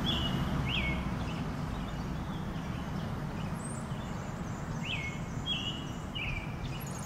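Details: A male and female brown-headed nuthatch collecting food for their chicks give short, squeaky chirps, a few every couple of seconds, on a sunny, cool, slightly breezy 4/9/2020 in Lafayette Co., Mississippi, over low rumbling background.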